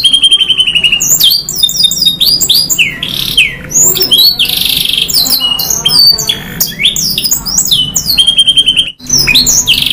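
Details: A canary singing in the Indonesian gacor style called nembak panjang isian, a long shooting song with fills: loud, rapid strings of high whistled notes, sweeping slides and rolling trills that change every second or two, with one brief pause near the end.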